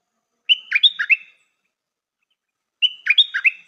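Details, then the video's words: Stripe-throated bulbul used as a decoy bird, repeating the same lively phrase twice about two and a half seconds apart: a clear whistle followed by three bouncy, slurred notes, with silence between. "เสียงนกดอกแตงEp.135 จ้าวขันทอง นกต่อใหม่เปิดดอกน่าฟัง สำนวนดี Suara pikat merbah lekir"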